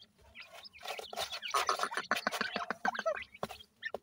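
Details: Young francolin chicks during feeding, giving a rapid jumble of short chirps and clucks over dense clicking and rustling, with sharp, higher whistled peeps near the end.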